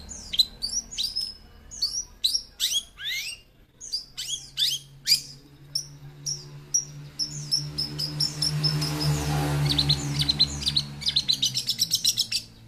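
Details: Young long-tailed shrike, said to carry many fill-in phrases and fighting spirit. It pours out a varied, rapid medley of high chirps and slurred notes. A rushing noise swells midway, then sharp repeated chips follow.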